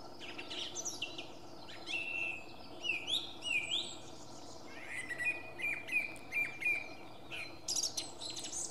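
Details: Song thrush (Turdus philomelos) at Beijershamn, Sweden, 6 May 2017, singing loud, varied whistled and chirping phrases, several short bursts every second or so, with other birds faintly behind.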